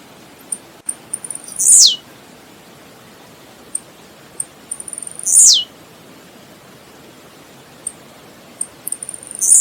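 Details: Blue-black grassquit singing in nature: three phrases roughly every three and a half seconds, each a patter of high ticks closing in a short, loud, harsh downward buzz.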